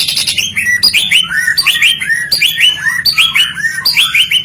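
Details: Caged white-rumped shama singing continuously, repeating short sweeping whistled phrases that drop from high to mid pitch, about eighty phrases a minute, each ending in a slurred downward note, with faint low background hum.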